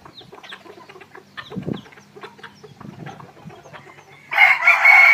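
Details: Captive decoy red junglefowl in the evening: soft clucks and distant bird chirps, then a loud, rasping crow breaks in near the end and holds for about a second.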